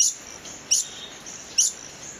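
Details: Long-billed hermit, a tropical hummingbird, in a fighting context, giving three sharp, very high squeaky chips about a second apart over a steady thin high-pitched hiss, probably insects.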